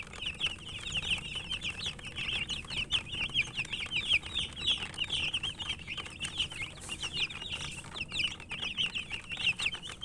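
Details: A group of chicks eating and peeping nonstop: dense, high-pitched chirps, often rising or falling, overlapping in a continuous chorus with faint pecking noises.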